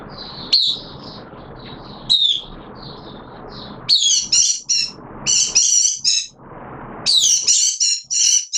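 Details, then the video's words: Hobby oriental white-eye in wet weather, 6 September 2022: high thin twittering phrases with rising chips for four seconds, then loud harsh, buzzy broadband bursts in stuttering groups dominate the rest. "Mata Puteh T Rex Buka Sing"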